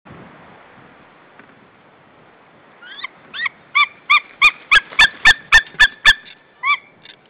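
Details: White-tailed eagle male at a nest in Saunja, Estonia, calling to his mate on 1 April 2013 at 18:20: after near silence, a quickening series of about a dozen loud, yelping, clipped notes that peaks and then trails off.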